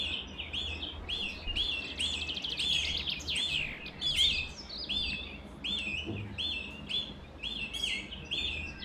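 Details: Canary singing: a lively run of bright, rapidly repeated chirps and trills, with looping whistled notes and quick buzzy rolls in a continuous phrase, over a faint low hum.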